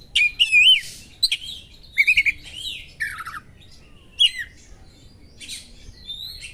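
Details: Kacer, the Oriental magpie-robin, delivering sharp small-bird 'materi' meant to rouse other birds; warbled whistles and buzzy squawks in separate bursts, then a quieter stretch with scattered chips.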